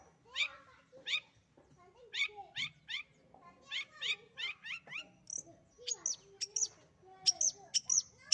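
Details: Pet long-tailed shrike singing vigorously: varied sharp chips and short whistled notes in quick bursts, some sweeping down, with lower rasping notes between and a run of high thin squeaks near the end.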